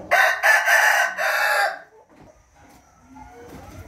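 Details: A rooster crows once, a loud harsh cock-a-doodle-doo lasting under two seconds in stepped bursts, followed by quieter background noise and faint calls, recorded on 13 June 2021.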